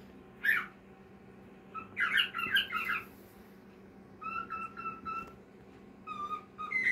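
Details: Cockatiel singing indoors in a small room: a sharp squawk, then a burst of scratchy chatter, followed by a run of short, clear, two-tone whistles repeated with brief gaps.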